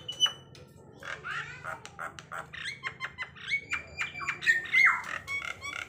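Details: Javan myna, known as jalak kebo, in a coughing call style: an irregular series of harsh squawks and rasping chatter, some notes rising, with a few clearer whistled tones mixed in toward the end.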